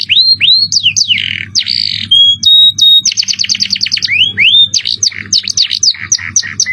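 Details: Singing canary, 'cengkok mewah' style: arched upward-sweeping whistles and buzzy chatter, a pure held whistle, then a quick trill of repeated chips and more rising slurs, all loud and high-pitched over a faint hum.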